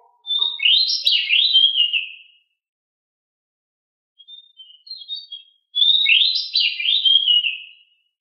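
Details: Pied bushchat (decu), agile and very noisy, in 'ngeroll' rolling song. Two dense, rapid warbled phrases of high twisting whistles are linked by a few quieter scattered notes.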